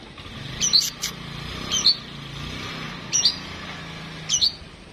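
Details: Home-kept Oriental magpie-robin in a mental test, repeating short sharp high chirps roughly once every second and a half, four in all, over a low continuous background hum.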